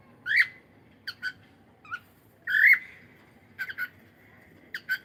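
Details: Morning calls of a Cockatiel: sharp whistled notes, some in quick pairs, others longer and warbling, repeated irregularly about every second against a quiet background.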